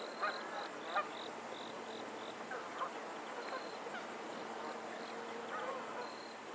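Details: Geese calling on a lake in Pennsylvania: a few sharp nasal honks spaced about a second apart, then softer scattered honks, over a steady high insect-like whine that comes in short repeated bursts.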